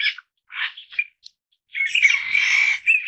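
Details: Taiwan bamboo partridge family group in Taiwan forest: short harsh scratchy notes separated by brief gaps, then a sustained loud grating chatter lasting over a second.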